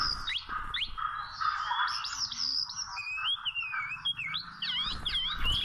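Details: A wild Oriental magpie-robin delivers wavering whistled phrases and quick downslurs during trapping with small ropes, over a constant humming background.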